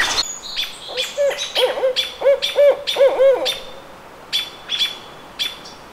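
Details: Barred owl recorded at the Squamish River Estuary on May 17, 2014, giving a clear series of loud, low hoots, each rising and falling in a rounded arc, followed by quieter, sharp, high chirps from a small bird.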